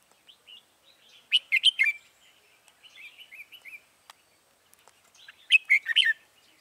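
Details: Red-whiskered bulbul used as a decoy to call wild birds into a trap, recorded 21 January 2018: loud bursts of warbled, slurred notes, with softer chattering phrases between them.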